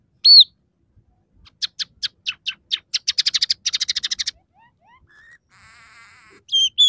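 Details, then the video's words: Scaly-breasted munia in lively song mixed with borrowed sparrow, red siskin and canary phrases: an arched high whistle, then clicks accelerating into a rapid stuttering trill, faint upslurred whistles, a nasal buzz and closing high whistles. "suara burung emprit peking gacor dengan tiga variasi lagu"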